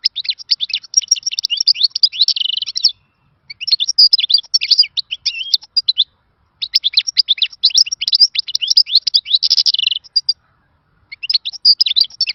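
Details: European goldfinch singing old-time khalawi song in four long runs of fast, tinkling twitters and buzzy rolls, each separated by a short silence.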